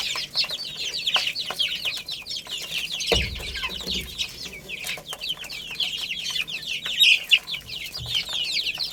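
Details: A group of chicks playing and eating peep steadily with high, downward-slurred chirps, accompanied by light clicking and one low thump partway through.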